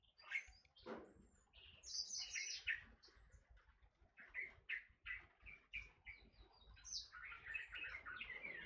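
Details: Forest oriole (kepodang hutan): lively, varied chirps and scratchy high notes in irregular bursts, broken by short pauses, over a quiet low hum.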